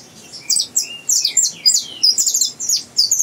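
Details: Young captive-bred Saffron Finch learning its song: bright, high chirped notes in quick bursts, some sliding downward, with short pauses between phrases in a quiet room.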